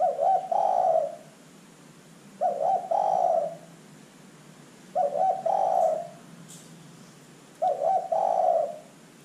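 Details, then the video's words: Zebra dove used as a lure to prompt other birds to call: a fluttering, bubbling coo followed by a longer rolling purr, repeated about every two and a half seconds, four phrases in all. "LANGSUNG IKUT BUNYI dengan pancingan terkukur GACOR ini"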